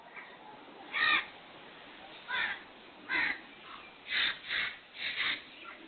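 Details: Kala teeter, the black francolin, whose call is heard as 'subhan teri qudrat': rasping, scratchy notes given singly at first, then in a quicker cluster of three toward the end, over a faint background hiss.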